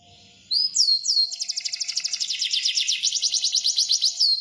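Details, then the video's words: Kenari canary starting abruptly with two swooping high whistles, then a fast, regular rolled trill of crisp repeated notes held for several seconds, closing with another swoop. "Suara Burung Kenari Gacor"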